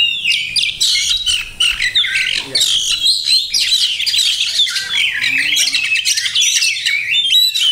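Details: Captive Oriental magpie-robin singing rapidly with dense imitated phrases, rasping chatters and sharp whistles overlapping almost continuously in a high register, with a clean, quiet background.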